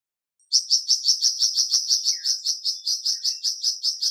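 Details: Flamboyan bird delivering a steady, fast string of loud, high, clipped whistled notes, roughly four per second, held evenly for about four seconds.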